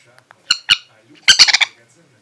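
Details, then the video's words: Angry pet Aratinga parakeet: two short harsh squawks, then a burst of four or five rapid, raspy, strident screeches, loud and close in a quiet room. "Попугай злится Angry parrot"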